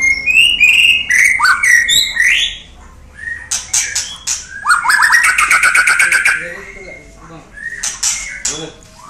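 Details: White-rumped shama singing: rich whistled phrases sliding down, then a fast series of sharp clicking notes over a rising buzzy whistle, followed by scattered high chips; faint low background hum.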